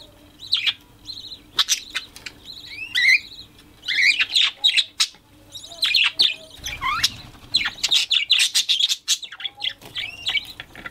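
Budgerigars chattering in a rapid stream of sharp chirps, squeaky warbles and short squawks.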